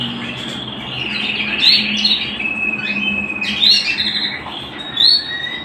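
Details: Canary at home singing in a quieter stretch: a thin steady high tone with bright rising whistles breaking in about every two seconds, and a faint low hum underneath.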